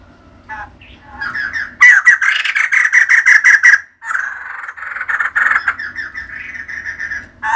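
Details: Female white-crested laughingthrush, a kept bird, chattering energetically: dense runs of loud, harsh, rapidly repeated notes nearly filling the clip, with one brief break near four seconds.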